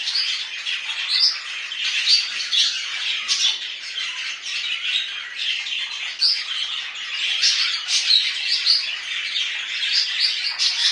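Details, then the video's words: Kept budgerigars at home produce a steady wall of harsh squawking chatter, scratchy and buzzy, with occasional louder squeaks rising above the constant high-pitched din. "budgies tutuqusu papagan"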